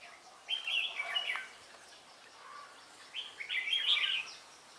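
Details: Vietnamese trapping scene, 17 December 2016: a decoy red-whiskered bulbul gives two rich, rolling warbled phrases about two and a half seconds apart, each roughly a second long, over soft background hiss.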